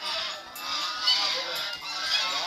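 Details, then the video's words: Wild geese, described as angry, producing a dense hissing, harsh chorus of overlapping raspy calls with little clear structure, noisy throughout. "Angry Ganza Birds ~ Wild Geese"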